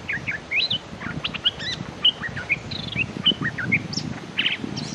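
A bulbul gives quick, bright whistled phrases of short slurred notes, several per second, bubbling and chattery, over a steady low background hum.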